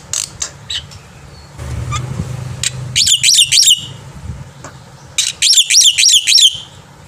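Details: Morning song of a black-winged myna, used to tutor young mynas. After a few scattered ticks, two rapid bursts of looping, zigzag whistles come in quick chains, with a low hum underneath.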